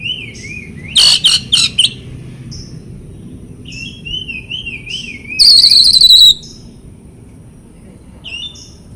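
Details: Oriental magpie-robin training song meant to prompt silent birds to sing: loud rasping bursts alternate with a wavering, yodelling whistle, then one long harsh rattle and a few faint clipped notes.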